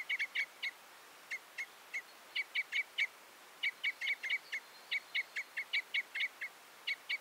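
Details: Repeated clipped chip notes of a common crossbill, loose groups of two to four with short gaps, steady in pitch throughout.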